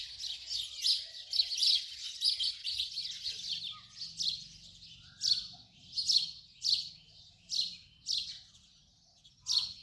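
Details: House sparrow calling: rapid chirps at first, then slowing to single loud chirps repeated about every half second to second.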